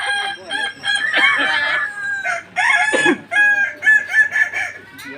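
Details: A Kukuak Balenggek rooster crows while sitting at a Minangkabau crowing contest in Tergal, Alahan Panjang. It gives a long, broken series of bright, hoarse phrases, each rising and falling, with a little crowd noise behind.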